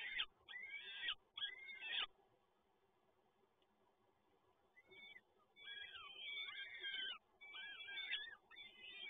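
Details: Peregrine falcon chicks beg while being fed at a nest in Toruń, 30 April 2022. Three loud harsh screeches open the recording, then after a quiet spell a series of shrill, wavering begging cries follows.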